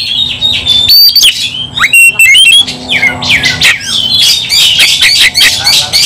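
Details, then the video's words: Kacer, the White-rumped shama, in a heated fight: harsh squawks and scratchy rasps run into bright whistled notes, loud and crowded, with a faint low hum beneath. "kacer langsung KONSLET tarung ngotot full emotional"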